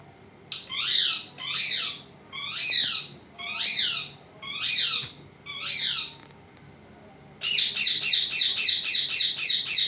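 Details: Pet parrot, recorded in secret indoors: six harsh, descending screechy calls about every 0.8 seconds, then a fast run of quick high chattering notes, over low room hum.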